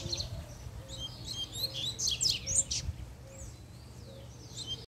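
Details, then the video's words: Puxada song of an excited male double-collared seedeater: bright rapid chirps and slurred whistles peaking midway, then softer notes, over a low steady hum and a faint repeated mid-pitched tone. "PUXADA DE COLEIRO, ESSE ESTÁ FOGOSO!!!"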